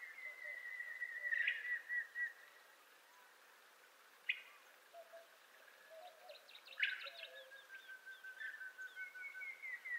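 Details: Montezuma quail: a long, slightly falling whistle at the start, then a sharp note and a second drawn-out whistle easing lower, with scattered chattering and soft low whistles in the background.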